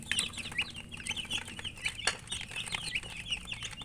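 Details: A brood of chicks feeding, their shrill cheeping notes rising and falling in quick overlapping bursts, with occasional clicks of beaks on food and a low rumbling background.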